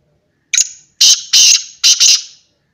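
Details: Black francolin, known locally as kala teetar, calling: a short sharp note followed by a series of loud, harsh, high grating phrases, the last one doubled, over about two seconds in a quiet setting.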